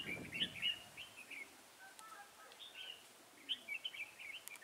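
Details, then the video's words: Decoy red-whiskered bulbul in a bird trap, 23 October 2017, gives lively warbled phrases of rapid up-and-down whistles, a burst at the start and another after a quiet gap, with faint background rustling. "Bẫy chào mào Mào lân chơi cúp cầu - siêng cánh"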